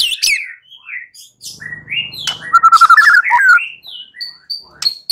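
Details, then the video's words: White-rumped shama song played as a lure to provoke singing, with scattered whistled and chirping notes, a quick trilled run of repeated notes in the middle, and brief high whistles at the end. "Pancingan Murai batu 85% Jitu jadikan Murai batu NYAUT NGEPLONG"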